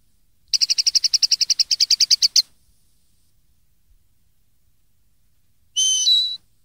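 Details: Common linnet song recorded in 2013 for young birds to learn: a fast, even trill of about sixteen bright notes lasting two seconds, then a pause and a long two-toned whistle.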